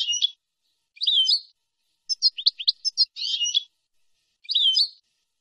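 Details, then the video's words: Goldfinch song phrases for teaching young birds, nahrat and taqasim style: chattering twittered bursts separated by short pauses, with a quick run of sharp staccato notes in the middle, on a clean silent background. "شريط لغة حسون نهرات وتقاسيم"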